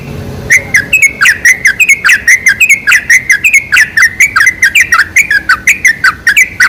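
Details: Sooty-headed bulbul song played as a lure to draw other bulbuls: loud, bubbly chattering phrases of quick liquid notes, rising and falling, packed densely and repeated without pause through the whole stretch.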